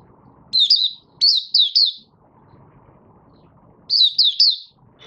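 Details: Caged Malaysian oriental white-eye, a Raja bird not yet in form, singing its opening song: short bursts of thin, high, warbled notes in quick trills of three or four, pausing between phrases, with a low background rumble.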